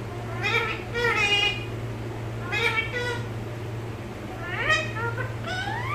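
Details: A pet parrot talking in Malayalam utters high, nasal, speech-like phrases in short bursts, some with quick rising and falling slurs, over a steady low electrical hum.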